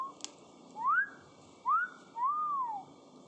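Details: Common hill myna learning to talk, giving three clear whistled notes spaced about a second apart, each rising then falling, the last one longer and flatter.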